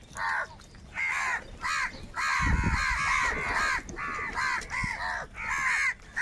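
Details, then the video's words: A huge flock of crows fighting for food gives harsh, ragged caws in overlapping bursts of about half a second, with short pauses between. A low thumping noise rises briefly near the middle. "Kaka sound and Noises of Crow Birds | Huge Numbers of Crows Crowing and Crying sounds"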